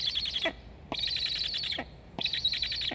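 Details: At a black stork nest in Estonia, recorded by nest cam on 26 August 2021, chicks beg for food; three rasping, chirpy bursts, each under a second, separated by short pauses.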